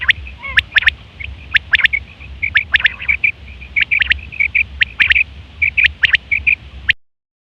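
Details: Female quail voice for luring quails in trapping: dense run of short chirping notes mixed with sustained tonal bits, fairly even and busy for about seven seconds, then silence, over low background rumble.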